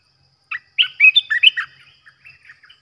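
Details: Olive-winged bulbul used as a decoy to lure birds into traps: a brisk cascade of clear, bubbly whistled notes, loud at first, then trailing off into a few soft, scattered chirps.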